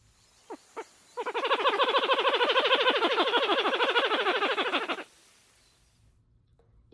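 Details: Pied-billed grebe song: two soft notes, then a fast run of hollow, rhythmic cuk-cuk-cuk calls, about three per second, held steadily for nearly four seconds.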